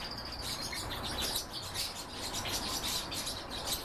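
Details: Lively song from a goldfinch and canary hybrid: quick, repeated high chirps and warbled twitters in an uneven stream, with background hiss.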